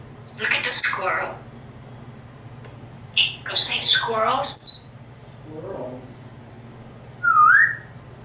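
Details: Indoors in Texas, a pet African grey parrot hatched June 15, 1997 talks about squirrels and chickens. Several clusters of raspy, word-like syllables are separated by pauses, ending with a clear rising whistle.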